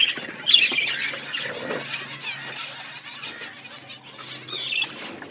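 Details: Colony of budgies chirping nonstop, a busy mix of high twittering and short whistled squeaks from many birds at once, slightly quieter in the second half.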